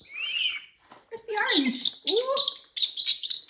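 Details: Talking male parrotlet gives a bright whistled chirp, then high, rapid, speech-like chatter overlapping a person's low voice indoors.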